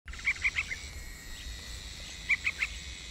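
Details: A hungry Yellow-vented bulbul chick being fed and cleaned gives two quick runs of three thin, high chirps, about two seconds apart, over a steady insect hum.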